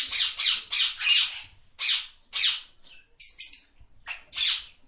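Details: Yellow pet parrots, presented as talking birds, let out a quick series of harsh, scratchy squawks, about four in a row, then spaced rough calls and a brief thin, clipped sound near the end.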